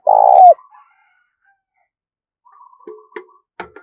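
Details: Spotted dove decoy used to lure other doves: a single long burry coo at the start, then quiet, a faint buzzy trill and several sharp clicks.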